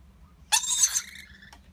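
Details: Baby lorikeet fed by parents utters a strained, hissing screech that trails into a thinner whining tone, then a brief click; steady low hum behind.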